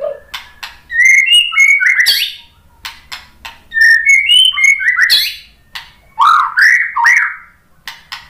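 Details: Used to make other birds reply and sing, this white-rumped shama song gives three bursts of rich, varied whistles and slurred notes, the last lower and sweeping, with short pauses between phrases.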